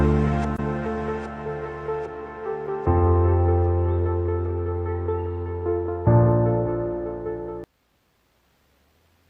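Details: Slow piano and ambient keyboard music with sustained low chords that change twice, then stop abruptly, leaving near silence at the end.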